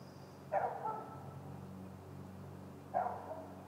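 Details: Great gray owl at the nest giving two short, slightly drawn-out yelping calls about two and a half seconds apart, over a low, steady mechanical hum.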